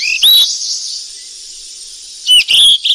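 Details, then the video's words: Wild flycatcher feeding chicks: one rising whistle at the start, then a pause of two seconds, then a pair of high chirped whistles over a continuous high hiss. "BURUNG SIKATAN EMAS YG CANTIK DI ALAM LIAR LAGI LOLOH ANAKNYA PLUS SUARA MASTERAN"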